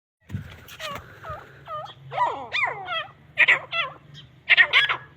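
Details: Grey francolin (teetar, Irani teetar) fighting: harsh, squealing harmonic notes, some dipping into U-shaped slurs, in irregular overlapping bursts about once a second, over a steady low hum.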